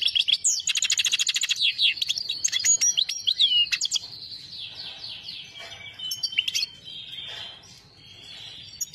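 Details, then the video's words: Singing saira goldfinch: opens with a fast, dry rattling trill and crisp chirps, moves into a twittering warble of slurred whistles, then softens to scattered notes and a thin trailing tone. "goldfinch singing"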